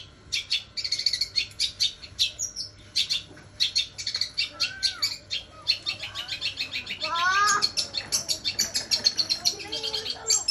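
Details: Long-tailed shrike song built on gereja (sparrow) mimicry in the 'sambung kunti' style; dense runs of high chattering chirps, then a rapid trill-like stretch with lower slurred notes dropping in pitch, continuing to the end.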